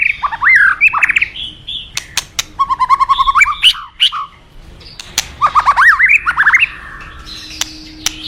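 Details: Forest White-rumped shama singing jumbled rising whistles, a rapid pulsed trill, and more stepped warbled phrases, with sharp clicks throughout and a faint steady hum.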